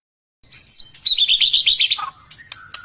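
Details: White-rumped shama song used as a lure: a clear sustained high whistle opens, then a fast run of bright, varied chirping notes, fading into short lower phrases and a few sharp clicks near the end.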